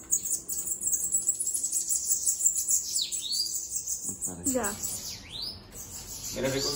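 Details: Loose bananaquit's thin, high-pitched trilled song with curved descending sweeps, repeated twice, plus some lower thumps toward the end.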